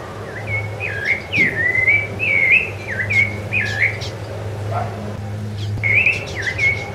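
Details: Rufous-bellied thrush (Turdus rufiventris), recorded in January 2013 on Ilha do Governador, Brazil: a run of clear, fluting whistled phrases near one pitch, each with a quick slur or upward flick, coming in a steady stream over a low hum.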